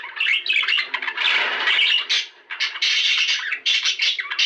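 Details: Budgerigar song used to encourage mating, loud scratchy chatter and squawks with a brief silence midway, then renewed buzzy warbling.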